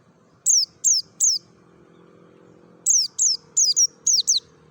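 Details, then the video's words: Forest-style calling of a Merapi mountain white-eye used as a lure for kept birds: three quick high falling chips, a pause of over a second, then six more in fast succession, some doubled, over faint background rumble. "SUARA NGALAS SAMPAI PARUHNYA SOBEK❗PANCINGAN PLECI DAKUN MERAPI"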